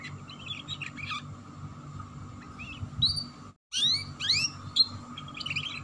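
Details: A canary giving ngeriwik chirps, meant to prompt young canaries to sing: soft twittering, a brief silent gap, then loud rising and falling whistled chips in quick succession; steady hum behind.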